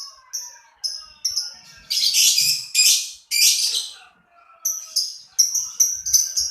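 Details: High clipped chirps from a lovebird, a series of coarse buzzy bursts in the middle, then rapid repeated piercing chirps.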